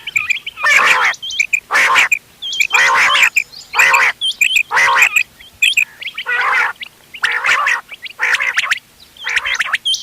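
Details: Mixed quail calls for hunting: strong harsh gargled bursts repeating about once per second with high hooked chirps scattered between them.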